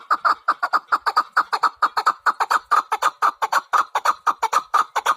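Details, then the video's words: Steady, unbroken series of hoarse chuk notes from a chukar partridge, about five per second, evenly repeated throughout. "Кабки сурак кариб маст шавад Keklik الحجل Куропатка Partridge"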